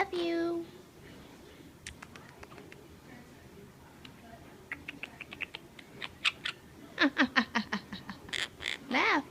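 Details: A pet monk (Quaker) parakeet trying to talk babbles in speech-like mimicry: a low voiced phrase, soft scattered clicks, then a quickening run of squawky, rising-and-falling syllables.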